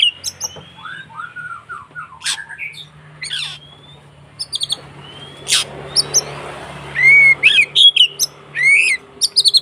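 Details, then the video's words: White-rumped shama giving a fighting song to provoke rivals: scattered sharp clicks and descending whistles, a quieter middle, then clear upslurred whistles and quick chip notes near the end over a faint low hum. "SUARA BURUNG Kacer konslet TARUNG untuk PANCINGAN KACER agar ikut KONSLET"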